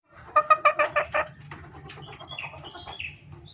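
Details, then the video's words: Female red junglefowl in breeding condition calling to males, used as a lure: a quick series of about six clucking notes, then softer scattered high chirps. "SUARA PIKAT AYAM HUTAN BETINA birahi memanggil jantan"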